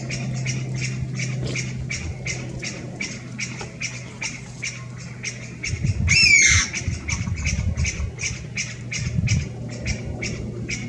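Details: Male Chinese bamboo partridge perched about 3 m above ground, 11 March 2023, not singing: a single strident squealing "pyaa" mid-clip, framed by fast repeated short "pyu pyu" calls of other partridges in the background and a low hum.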